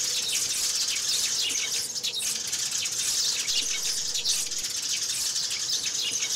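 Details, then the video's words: Sparrows calling in and hopping about, with sounds of them fighting: a dense, overlapping chorus of short high chirps and twitters running continuously, many birds calling at once. "Tiếng Chim Sẻ Gọi Về Và Nhảy - Tiếng Sẻ Cắn Nhau"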